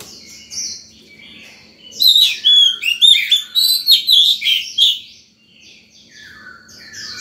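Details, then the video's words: Oriental magpie-robin in full breeding condition singing in the morning to call wild birds and train young birds; a loud run of fast, rich whistles and trills, with quieter chirping before and after. "Chòe than vào lửa hót sổng buổi sáng, gọi bổi, tập chim non hay!"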